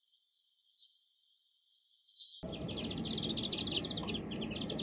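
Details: Two high downslurred Japanese white-eye notes, then a dense, rapid chatter of many small birds breaks in over a low rumbling background.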